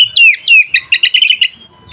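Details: White-rumped shama singing to provoke rivals and stir mating urge: two clear downslurred whistles followed by a rapid run of bright, chattering notes, then quiet.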